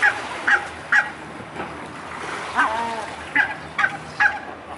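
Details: Mute swans on the Elbe in Dresden, 17 May 2017, 14:48; short nasal honking calls with harmonics, repeated about every half second in loose bursts, with a softer lower call mid-clip over background murmur.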